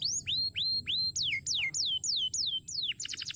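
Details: Crested canary song phrase of clear whistled notes that curve sharply downward, repeated about three times a second with a steady rhythm, ending in a fast, tight trill.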